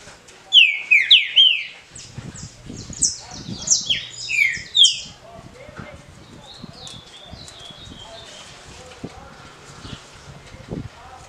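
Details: Short smooth Paraná-style song of a green-winged saltator, sung for the competition circle. Rapid bright whistles slur downward during the first five seconds, then quieter scattered chirps continue over low murmuring noise.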